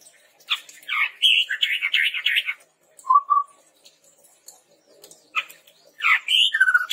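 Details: Red-rumped tepus lure recording for training birds: bursts of harsh, buzzy chattering with one short whistled note in the pause between them.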